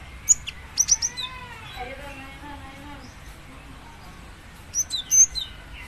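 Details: Female cinereous tit calling to a male: a cluster of short, sharp, high chirps opens the clip and another burst ends it. Lower harmonic, voice-like sounds fill the quieter middle.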